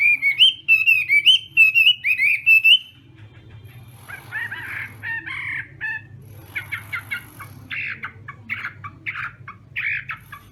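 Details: Chinese hwamei at a morning singing contest, giving three seconds of loud, repeated looping whistles before quieter, rough, scratchy chattering notes fill the rest amid a low background hum.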